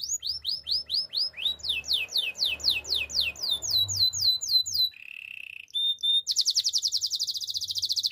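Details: Song of a canary for training: a long run of rapid falling whistled notes, a short low buzzy roll, a thin whistle, then a fast, high, rattling trill.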